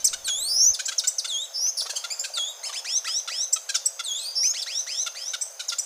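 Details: Grey-and-gold tanager singing: a rapid, dense jumble of very high, thin chirps and sweeping slurred whistles, delivered almost without pause.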